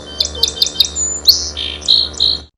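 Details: One song type from the repertoire of a single male Song Sparrow: four quick, evenly spaced high notes, then a sharp whistle and a run of buzzy, slurred notes, over a faint low hum.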